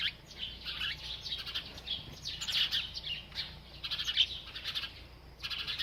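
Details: While feeding, a bird gives bursts of rapid high twittering chirps, grouped into short bright phrases with brief pauses between them.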